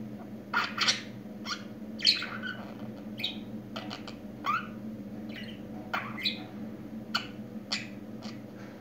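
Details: Budgerigar described as newly talking makes sparse sharp chirps and clicking squeaks at irregular intervals, roughly once every second, with short slurred warbles between them over a low indoor hum.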